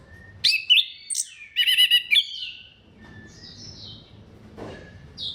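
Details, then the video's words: Orange-headed thrush in song, a lure for other thrushes: a loud cluster of sharp whistled notes and rippling trills in under two seconds, followed by faint distant whistles and low background noise. "KICAUAN SEBENING KRISTAL ANIS KEMBANG GACOR PANCINGAN MANJUR"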